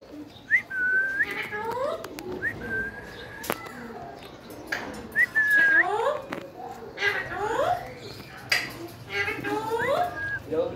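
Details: A pet rose-ringed (ringneck) parakeet talking in Urdu/Hindi gives clear whistled notes and short, rising and falling speech-like phrases, repeated every second or two in a quiet room.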